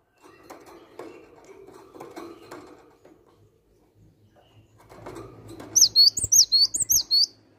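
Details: Cinereous tit: after several seconds of low indoor rustling and knocks, a short fast burst of high, sharp, repeated two-note whistles breaks in near the end.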